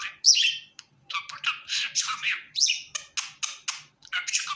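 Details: Pet budgie in a happy mood opens with a loud high squeak, then runs into steady, gritty warbling chirps in short, evenly spaced bursts.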